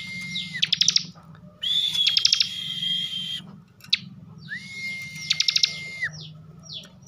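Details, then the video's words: Ngebren-style song of a caged bar-winged prinia from Tegal, Central Java: sharp rattling trills over steady whistles, one phrase holding a higher note and another a lower one, with brief gaps between. "kicauan Ciblek bren"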